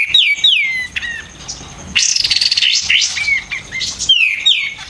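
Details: Dense White-eared bulbul song for training caged songbirds, loud and sharp: paired falling whistles, a burst of buzzy high chatter in the middle, then more descending slurred notes at the end.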